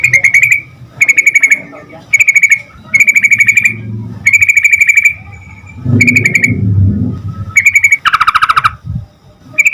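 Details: Yellow-vented bulbul lure song to make other bulbuls answer quickly: a steady series of brief bubbly chattering bursts about a second apart, a lower burst near the end, and a low rumbling background noise in places.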